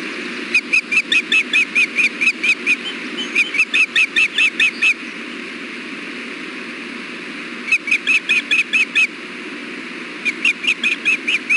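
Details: Osprey pair at their nest during an afternoon fish delivery, June 4, 2016: rapid bursts of high whistled chirps, about seven to ten notes per burst, with pauses between bursts, over constant broadband hiss.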